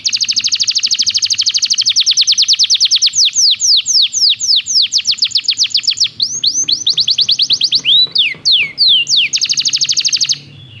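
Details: Belgian canary song for training canaries: a long, fast rolling trill of steep high notes shifts to slower sweeping slurs, with a few twisted phrases, then returns to a rapid roll before ending abruptly.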